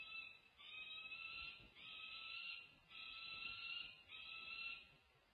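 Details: Peregrine falcon family at a nest camera at UC Berkeley on 1 June 2024. The mother is feeding her young females when the male arrives from above. There are long, grating whining calls, about four in a row, with short gaps between them.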